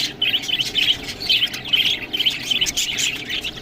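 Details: Budgerigars eating green food, giving bursts of high, scratchy warbling chirps in rapid uneven runs, with short clicking sounds scattered between the calls.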